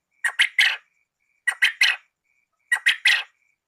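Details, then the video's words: Quail, male and female, calling as a lure for trapping: harsh, buzzy notes grouped in threes, each group repeated about every 1.2 seconds, with a faint steady tone between groups and an otherwise silent background. "SUARA BURUNG PUYUH JANTAN & BETINA"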